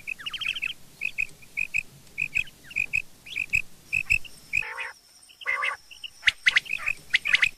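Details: Rain quail calling in the morning: short clear notes in pairs, repeated roughly twice a second for several seconds, then broken by harsh nasal calls and sharp clicking chips from other birds.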